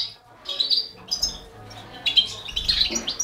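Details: Four baby canaries fed by a Balkan goldfinch, heard as short high chirps and squeaky notes, quiet at first, then a busier cluster of calls near the end.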